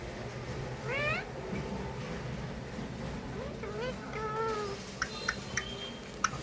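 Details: A pet Alexandrine parakeet couple say "Mithu Mithu" in two nasal, wavering word-like phrases, then kiss each other with a run of sharp smacking sounds near the end; a low room hum runs beneath.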